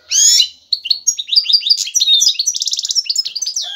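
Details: Male European goldfinch in breeding condition, singing to attract and stimulate a female: a loud nasal opening note, then a fast continuous twittering warble with a rapid trill of repeated notes.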